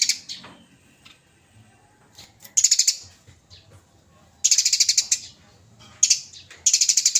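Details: Eurasian tree sparrows fighting, lively and loud, from a songbird training recording: repeated short bursts of high rapid rattling notes, four separate runs of quick pulses with brief pauses between them.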